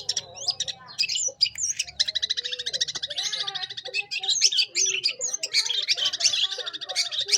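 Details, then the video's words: Long-tailed shrike in full song, played as a lure to attract young wild shrikes: continuous dense high chattering and rasping notes mixed with varied whistles, with lower warbled phrases beneath. "Cendet Gacor Pancingan Untuk Cendet muda Hutan"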